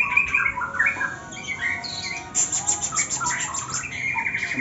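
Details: White-rumped shama, one with cataract, in ngetrek song style: high chirps and short whistles, then a burst of dry buzzy rattling notes, followed by more squeaky chirped phrases and a fast trill at the end.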